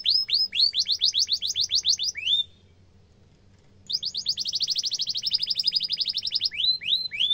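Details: Canary singing a sharp trilled tutor song for young canaries: quick downslurred notes, a brief pause, then a dense buzzy rolling trill and closing upswept whistles.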